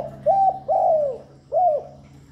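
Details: Spotted dove cooing continuously, used to lure and stimulate doves: three mellow low coos, each slurring slightly downward, spaced about half a second apart over a steady low hum.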